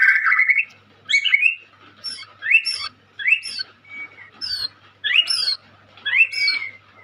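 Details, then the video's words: White-rumped shama, a young bird singing vigorously: a warbled opening, then sharp, high, upward-flicked notes given in bursts about once a second with short pauses between. "Burung Murai muda gacor calon juara"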